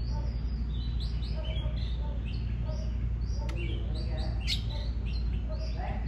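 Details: Oriental magpie-robin song intended to stimulate singing: quick sequences of thin whistled notes and short slurred phrases, with a couple of sharp clicks, over heavy low-pitched hum.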